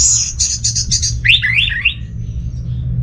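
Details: Orange-headed thrush singing, used to stir quiet home birds, northern Bali: a high buzzy stuttered trill followed by a short run of wavering looping whistles, then quiet with soft background hum.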